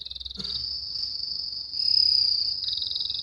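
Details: Canary in training, learning to sing ngriwik: a brief trill opens into a long sustained high buzzy note that swells in the middle, with faint rapid pulses through it.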